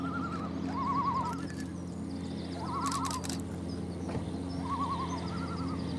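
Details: A curious pair of Common Loons (great northern divers) on Ljosavatn, northern Iceland, about 20 m away, trading quavering, wavering mid-pitched tremolos in an overlapping duet over a steady low rumble.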